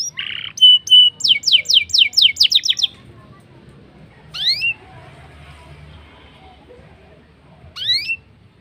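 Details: Black-throated canary song meant to draw canaries into singing: a burst of quick descending chips and a short trill, then two isolated rising sweeps after pauses.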